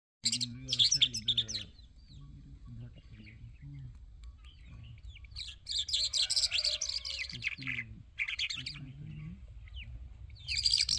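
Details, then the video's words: Irani Jal bird in full singing: bursts of high, twittering, warbled phrases alternating with quieter gaps, a steady low hum underneath and a brief lower-pitched tone near the middle. "Irani Jal Bird Full Singing"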